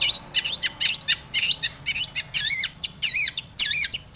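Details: Long-tailed shrike song used to provoke other shrikes into singing: busy run of harsh, varied notes, wavering and sliding chirps with some lower dipping phrases, delivered in quick bursts roughly twice a second.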